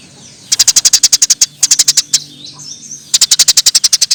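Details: Eurasian tree sparrow chirping loudly for masteran: rapid trains of sharp, high chirps, about five per second, in three runs separated by brief pauses.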